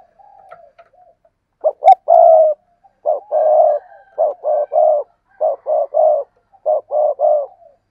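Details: Spotted dove calling after a faint soft opening: a steady run of about four hollow, low coo phrases, each a couple of short notes ending in a longer held note, evenly spaced.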